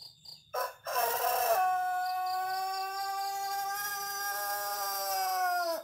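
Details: A Pelung rooster of the Cianjur breed gives a long, drawn-out crow, holding a steady tone for over four seconds before it drops away at the end.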